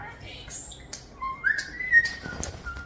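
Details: A hand-raised European starling, one year old, gives a long level whistle rising then holding steady, with scratchy clicks and a higher thin note before it, in a small room.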